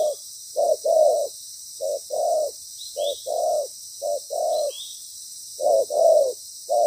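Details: Spotted dove used as a decoy in ground-bait trapping, a loud bird with a good voice and a proper song pattern; low cooing notes in short-then-long pairs, repeated in bursts, over steady high hiss.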